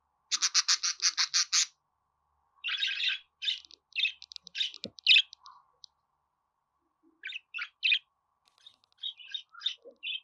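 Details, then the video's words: Pet budgerigar song: it opens with a fast train of about ten sharp, buzzy pulses, then breaks into scattered, scratchy chirps and short chattering notes with brief silences between phrases. "Muhabbet Kuşu Ötme Garantili Kuş Sesi,Muhabbet Kuşu Sesi"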